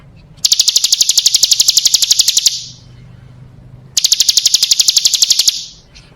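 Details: Bar-winged prinia female, a lure call for attracting males: two bursts of quick, high, metallic ticks, each about two seconds long, separated by a pause with a faint low hum.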